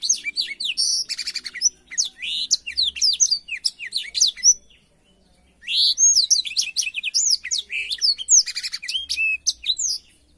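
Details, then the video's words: Blackthroat song used as a tutor for training canaries to copy: dense, fast run of varied high chirps, slurred whistles and short buzzy trills, with a one-second pause midway before the rapid tumbling phrases resume. "suara burung blackthroat untuk masteran kenari"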